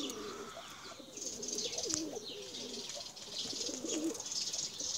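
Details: Tumbler pigeons being flown to climb high; wavering low coos scattered through the recording, with a constant hiss of high chirps and outdoor noise above them.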